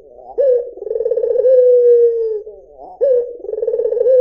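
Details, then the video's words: [['A white Barbary dove coos: one full phrase with a vibrating roll and a long, steady falling note, then the start of the next rolling coo.']] "SUARA PUTER PUTIH || JERNIH 3 DETIK LANGSUNG NYAUT || SUARA BURUNG PUTER MERDU"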